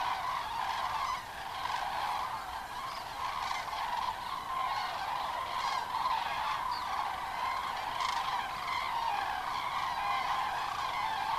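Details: Thousands of common cranes fly in after 17:00 on the evening of 31 October 2015 to roost in the nearly empty Kelbra reservoir basin during their stopover, at a hazy sunset, giving a steady, overlapping chorus of loud, rolling trumpeting calls that never pauses.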